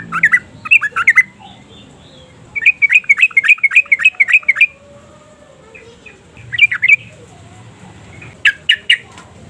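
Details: A Yellow-vented Bulbul sings actively, recorded as a lure to stimulate other bulbuls. It gives bubbly, liquid chirps in quick bursts, one run of about eight rapid notes, with short pauses between phrases.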